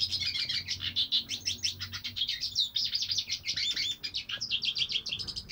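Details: Hooded siskin (cabecita negra) in continuous song, a fast busy chatter of high twittering and chirping notes with hardly a break.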